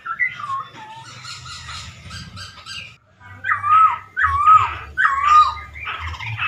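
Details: Chinese hwamei song for provoking other birds: soft scratchy chatter, then a string of loud harsh slurred phrases repeated roughly every second with dipping whistled tones.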